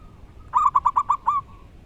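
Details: A short burst of six rapid, bubbling coos from a local wild zebra dove singing loudly, heard over a steady background hiss.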